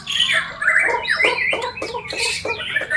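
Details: Bornean white-rumped shama singing persistently and aggressively: a tumbling run of sliding whistles and harsher chattering notes, with short sharp phrases repeated about twice a second in the second half.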